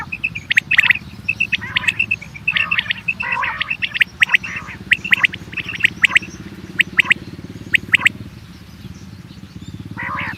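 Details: Quail call used to draw quail for hunting, with dense bursts of clipped high notes and buzzy rasps, thinning out later, over a continuous low mechanical hum.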